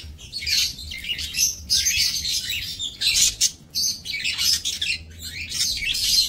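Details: Budgerigars in a small minimalist aviary, 28 November 2024, producing loud, high twittering chatter in pulsing bursts with short gaps, several birds calling over one another.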